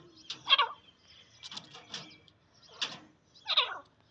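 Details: Female grey francolin calling: harsh, grating two-part notes repeated about once a second, with quieter scratchy notes between the louder bursts.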